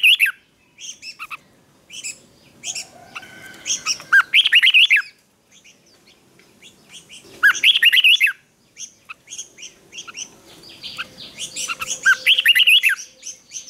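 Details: Red-whiskered bulbul practising its morning fighting song, delivering three dense bursts of rapid, bright warbled whistles and chirps, separated by quieter gaps with scattered short chirps.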